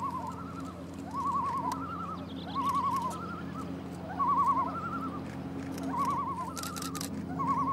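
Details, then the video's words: Pair of great northern divers (common loons) on Ljosavatn lake in northern Iceland, singing a duet after watching the observers from about 20 metres: rising, wavering yodel-like notes repeated in overlapping phrases, with a low steady hum beneath. "Svartnäbbad islom i duett - Great Northern Diver singing in duet!"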